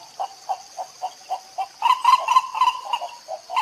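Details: White ibis in Costa Rica, 2021, recorded with a Fujifilm XH1 camera: spaced nasal honks roughly three per second, growing louder and denser midway, with a constant high-pitched insect drone behind.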